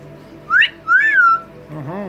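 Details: Pet double yellow-headed amazon parrot indoors, vocalizing to its owner: a quick rising whistled note, then a longer arched whistle that falls away, followed by a lower, buzzy, wavering sound.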